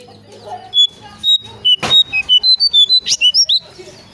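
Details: Brown shrike, a recording used as a lure for birds: a quick series of about a dozen short, high, clear notes, some rising or slurred, with a faint low hum beneath.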